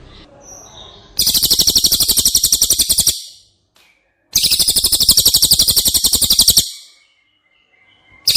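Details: A cililin, recorded as training song for caged White-rumped shama, delivers two long, rapid trills of high, sharp notes, each about two seconds, separated by a short silence.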